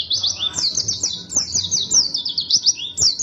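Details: Persistent white-eye song: a rapid, continuous run of thin, high, zigzagging notes with hardly any break.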